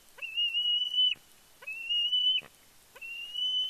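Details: Young bald eagle on its fledge day at the Big Bear nest, 31 May 2022, squeeing excitedly as the father flies in with a fish: three long, high, steady whistled squees, each about a second, with short pauses between.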